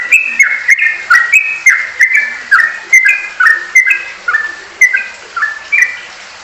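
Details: Sooty-headed bulbul singing in its fast, rolling ropelan style; clear, bubbly whistled two- and three-note phrases repeated roughly twice a second, with sharp clicks between them.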